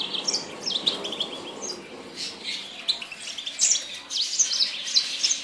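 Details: High, rapid twittering from a Yasmin bird, sharp chirps scattered across the whole stretch with brief louder clusters and a faint low hum underneath.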